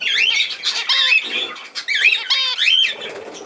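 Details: Budgerigars in a 17 November 2024 clip produce two bursts of rasping squawks with wavering whistled notes, separated by a short lull.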